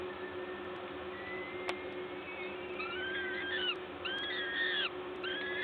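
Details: Peregrine falcons in Gdańsk, 14 May 2022 at 11:07, a parent feeding at the nest: faint thin whistles at first, then louder wavering wails build in the second half, with one sharp click.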